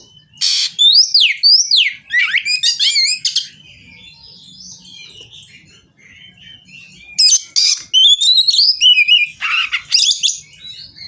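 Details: White-rumped shama singing aggressively as if seeking an opponent, pouring out rapid varied whistles, sweeping slurs and harsh rasps in two long bursts separated by a quieter pause.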